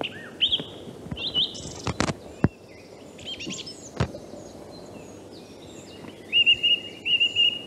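A song thrush sings varied, clear whistled and chattering phrases, ending with a bright motif repeated three times, with a few dull knocks in between.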